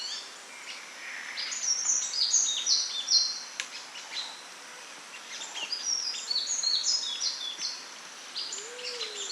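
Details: Sunbird singing in natural habitat, a rapid, jumbled stream of very high twittering and tinkling notes, with a short lower whistle near the end.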